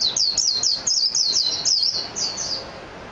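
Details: Mejiro singing a quick series of high, looping chirps, ending with two softer notes after a short gap.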